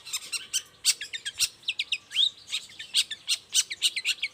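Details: Long-tailed shrike singing vigorously in the morning to draw answers from other shrikes. Busy jumble of harsh chips, short buzzes and one rising whistled slur, delivered almost without pause over low background noise.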